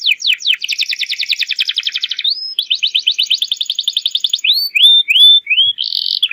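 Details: Singing domestic canary, used as a lure to get young birds to start singing: rapid descending sweeps, two long fast trills, then rising whistled slurs and a short buzzy burst.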